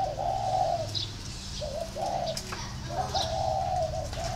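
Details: Spotted dove cooing: three drawn-out, slightly hoarse low coos about a second apart, the middle one clipped short, over a steady low hum and a faint high chirp.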